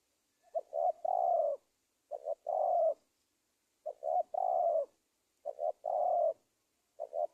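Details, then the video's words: Spotted dove call from Indonesia, used as a lure to draw wild doves for trapping: two short clipped coos then a long, slightly falling purring note, the phrase repeating about every 1.7 seconds, four times, in a quiet setting. "SUARA TEKUKUR PIKAT"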